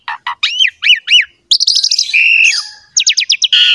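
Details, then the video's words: Captive Asian pied starling in full song, used as a master recording to coax quiet birds into singing: short harsh notes, paired rising whistles, a long level whistle, then a fast series of sharp repeated notes. "MASTERAN BURUNG JALAK SUREN"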